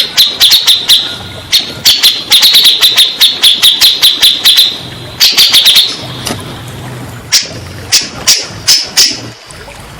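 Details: Grey-cheeked bulbul, played to get silent or stressed birds singing: rapid high chattering phrases in the first half, then sparser single sharp clicks.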